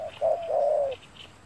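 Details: Spotted dove calling during bird trapping with a lure bird on a sunny day: a short low note, then a longer soft cooing phrase with a slightly falling, throaty ending, clear against a quiet rural background.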